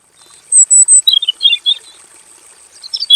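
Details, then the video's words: Male robin singing a long, full song in a simple aviary; one phrase of thin, high whistles and quick twittering notes, with a brief sweet trill near the end over a steady high hiss. "KICAU BURUNG ROBIN JANTAN GACOR NGEROL PANJANG FULL ISIAN"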